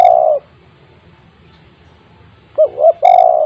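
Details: Spotted dove used as a calling lure for quiet doves kept at home. The end of a long rolled coo, a pause, then two short rising coos leading into another long, loud, slightly falling rolling note.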